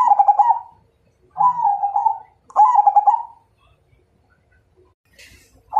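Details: ['Majapahit perkutut, a zebra dove, challenging another bird to fight with three rolling, trilled coo phrases in quick succession, then a brief pause with a faint click before the next phrase starts.']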